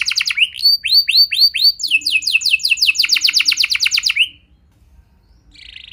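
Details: Canary lure song for getting other canaries singing: a few loud curved whistles, then a fast run of sharply falling notes and a rising slur, ending in near silence and a faint buzz.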